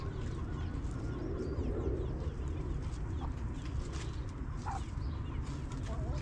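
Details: Backyard hens in a cozy coop, relaxing, giving a few soft, short clucks spaced a second or so apart over a steady low rumble of background noise.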